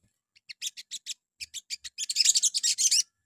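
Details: Morning lure song of a Crimson Sunbird (sogon), used to prompt other birds to sing back: spaced sharp high chips at first, then quickening into a dense, scratchy high twitter.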